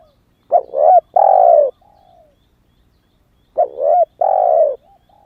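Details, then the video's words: Caged young spotted dove used to attract wild doves, freshly begun calling, still in wild plumage: two hoarse coo phrases, a wavering short note then a long mellow one, separated by a quiet gap. "Tiếng chim cu gáy mới nổi kích mồi hiệu quả"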